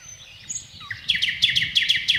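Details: A short passage of thrush nightingale song: a thin whistle and a low slurred note, then a loud, even run of about seven sharp, downward-flicking notes repeated in quick succession.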